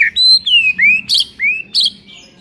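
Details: White-rumped shama song played to rouse a sluggish shama into singing: clear whistled phrases that slide up and down, broken by two short buzzy bursts, each note about a quarter second long.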